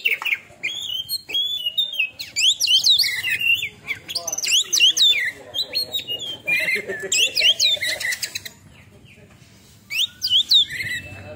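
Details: Kacer, or Oriental magpie-robin, after its first moult, giving 'tembakan' song: quick sweeping whistles, chattering trills and squeaky notes in tight bursts, then a short pause before a fresh outburst near the end.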